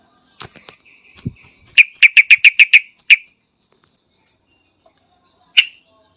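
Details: Yellow-vented bulbul in Thailand giving scattered soft notes, then a quick burst of seven sharp, ringing, metallic chirps, one more strong note after a pause, and a last isolated chirp after a long silence.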